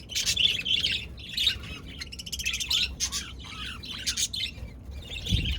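Budgerigars chirp and chatter in busy, scratchy bursts of high warbling notes.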